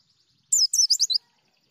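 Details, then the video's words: White-eye singing in the ngalas, nembak and ngriwik styles: a brief, shrill phrase of five rapid high swept notes, over a faint thin high tone, otherwise quiet. "Terapi Pleci Ngalas Nembak Ngriwik Gacor"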